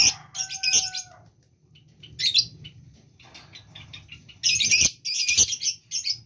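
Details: Lovebird in breeding condition: harsh, buzzy squawking chatter in bursts, opening with a short, clear whistled note, with pauses of silence between the outbursts.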